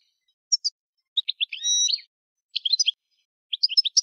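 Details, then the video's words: Goldfinch singing separate short bursts of high chirps, including a drawn-out nasal buzzing note, each group of twitters spaced by brief silences; nothing else audible. "Chant du Chardonneret"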